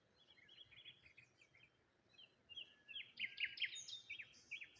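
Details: Cheerful bird chirping on a morning by the water with rose hips and a lonely tree; quiet scattered twitters give way to a louder series of clipped, stepped chirps.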